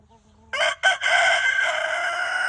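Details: Rooster crowing in the evening among hens scratching in golden light; a loud, harsh crow breaking after a brief pause into a long sustained drawn-out note, with softer clucking just before.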